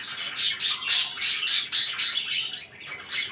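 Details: Pet budgerigars indoors produce a fast series of harsh, high squawky chirps, about three or four per second, loud and evenly paced before trailing into softer chatter.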